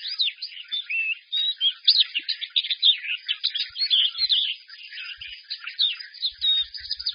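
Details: Loud song from a well-groomed caged white-eye, delivered strongly while the cage is held up: an unbroken stream of thin, high chirps, trills and quick slurred twitters packed closely together, with a few faint low knocks.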